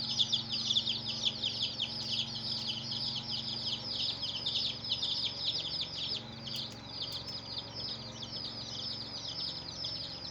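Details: A group of chicken chicks giving continuous high peeps, short descending notes packed tightly. The chorus thins and softens slightly in the second half, with a couple of faint clicks.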